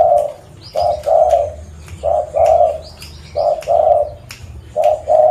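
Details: Lure recording of a local zebra dove from Busu Reului, Pidie, Aceh: paired trilled coos, one short and one longer, repeat about every second. Faint high chirps from other birds sit behind them.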